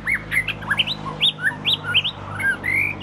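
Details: Oriental magpie-robin, the first one at a home in southern Thailand, singing a quick, varied run of clear whistled notes that swoop up and down, with a faint steady hum underneath.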